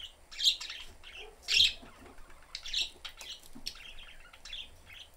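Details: Pet budgerigar family of three in a cage, door open, chirping during everyday activity: bright high chirps and warbled notes, two loud sharp peaks early on, then softer broken twittering.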